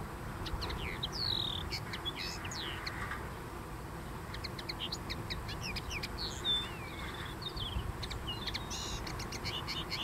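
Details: A Common linnet singing on a dune gives a fast, varied twitter of short chirps, trills and quick up-and-down whistles, over a steady low rumble of wind or surf.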